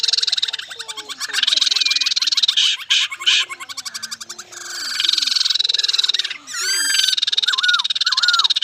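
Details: Singing laughingthrush: long stretches of rapid buzzy rattling broken by short pauses, ending with a few clear, sharply modulated whistled phrases.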